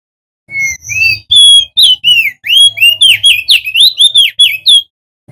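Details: Male crested white-eye, known locally as opior jambul or prenjak daun, endemic to Lombok, West Nusa Tenggara, sung loudly as a lure to prompt other birds to sing; a rapid run of clear whistled notes, many slurred up and down, for about four seconds.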